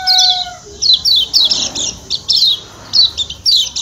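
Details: Lombok white-eye, locally kecial kuning, 'ciak ciak' call meant to make birds eager: clustered high downslurred chirps repeated roughly every half second, a level tonal hum in the opening moments.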